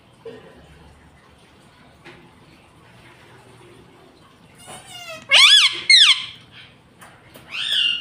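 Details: Pet ring-necked parrot talking indoors, trained to say words such as "Mummy Papa" and "Mitthu"; after a near-silent stretch come a few high, strained, wavering harmonic syllables, one loud pair then a shorter burst at the end.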